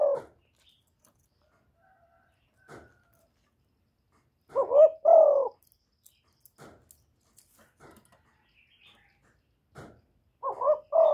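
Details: Spotted dove calling: low two-part hooting coos, one pair in the middle and another at the end, separated by scattered soft clicks and taps.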